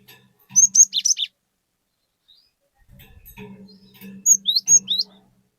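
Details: Cinereous tit in strong song, used to encourage other tits to sing: two separate phrases of rapid high whistles and slurred notes, with a low background hum between them.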